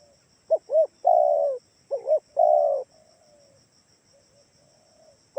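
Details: Spotted dove lure call used in Kalimantan-style bird trapping to draw answering doves: two short arched coos then a long level coo, repeated twice, low and mellow, with a faint steady high electronic whine behind.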